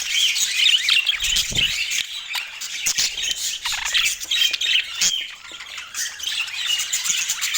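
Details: Pet budgerigars chattering together: a constant mass of high squawks, warbled notes and quick chirps, overlapping and rapid, with a brief low thump partway through.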